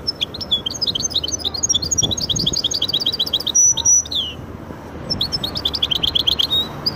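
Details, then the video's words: Lively song from a goldfinch and canary hybrid: tumbling runs of high chirps and trills, a sustained high whistled note, a brief pause, then another energetic burst of rapid chirping. "هجين ويداني ممتاز"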